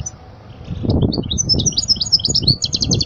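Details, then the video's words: European goldfinch, singing as a model for young chicks. Quiet at first, then a lively sequence of high whistled chirps and twitters builds into a fast, buzzy trill. Faint low rumbling sits underneath. "أجمل تغريدة لطائر الحسون لتعليم الفراخ الصغار"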